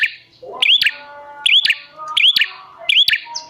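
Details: Prinia lure call meant to prompt wild prinias to respond: a few loud click-and-whistle units, each whistle sweeping upward, separated by short pauses, with faint twittering between them.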